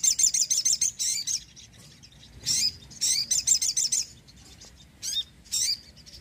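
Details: Sogon in lively song to attract birds and prompt reluctant ones to sing. Rapid, high-pitched chirping runs come in bursts of about half a second, separated by brief silences, with some sharp upward-sweeping notes.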